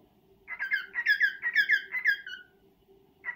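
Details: A pet male cockatiel courts a female with a two-second run of about six squeaky, slurred whistles ending in a falling note, then starts another phrase; a faint constant hum sits underneath.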